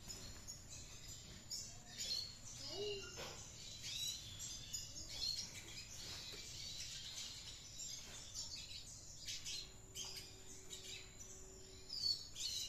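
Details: Red siskin in active ngriwik song: a long, busy run of high scratchy twitters and clipped chirps with brief gaps, a lower wavering note near three seconds, and a steady faint tone late on.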